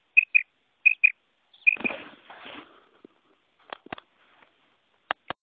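A female quail gives three quick pairs of high, thin chirps. Rustling and a few sharp clicks follow.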